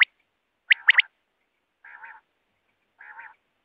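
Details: Quail used in net hunting of wild birds: a quick burst of three rising whistles, then two separate soft, nasal, buzzy croaks about a second apart, with silence between.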